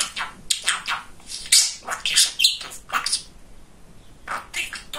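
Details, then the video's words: Pet male budgerigar, described as very talkative, chatters in quick, bright bursts of squeaky, high-pitched syllables. Short phrases are separated by brief pauses, with a quieter gap near the fourth second before the chatter resumes. "Разговорчивый Волнистый Попугайчик"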